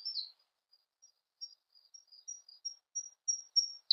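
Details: Siberian blue robin song: a series of very high, thin ticking notes growing louder and quicker over about three seconds; nothing else is heard. Siberian blue robin.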